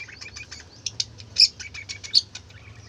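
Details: Several budgerigars chattering busily: a quick run of short, high twittering notes, with two louder shrill squeaks near the end.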